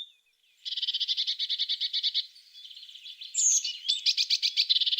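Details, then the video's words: A tit delivers a fast, even rattling trill of rapid pulses, pauses briefly with a high squeak, then resumes the trill more loudly. "The sound of a tit singing"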